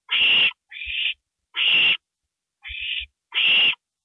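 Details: Owl at 2:05 AM on April 27, 2012, around a gopher prey delivery; three harsh, hissing screeches, each about half a second, alternate with two thinner, narrower rasps, with brief low knocks between.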